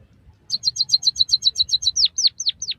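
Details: White-headed munia song used to stimulate and train captive birds: a fast series of about twelve sharp high chips, then four longer downslurred whistled notes, over a faint low hum.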